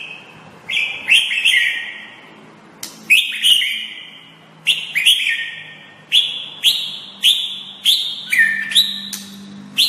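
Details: White-rumped shama training master: strong sustained whistles that slide gently downward, often opened by a sharp high click, delivered in a steady series about one each second, with a light room hum.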